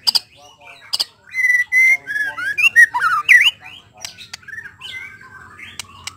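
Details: Singing white-rumped shama, used to coax other shamas into quickly delivering their repertoire: sharp clicks, then a run of clear warbled whistles rising and falling around the middle, fading into softer twitters.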